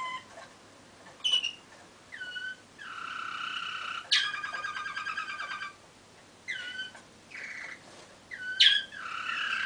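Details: Malinois waterslager canary recorded in 2013, singing short phrases separated by pauses: downward-bending liquid notes, a rapid rattling roll, and bright clicking accents.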